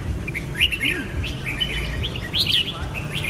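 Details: Red-whiskered bulbul song of short, lively whistled notes and chirpy flourishes, packed closely together over a constant low background hum.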